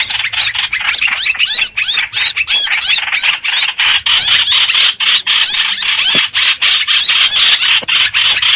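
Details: Streak-eared bulbul used as a trapping lure: dense, continuous chattering of bright arched notes, rapid and overlapping throughout, with short dips between bursts and no other clear sounds.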